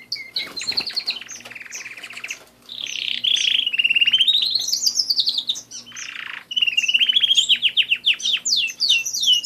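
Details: Pet canaries in full song, loud rapid trills and rising-falling rolled phrases, long sweeping tours with a buzzy burst midway and fast repeated notes near the end; faint hum in the background.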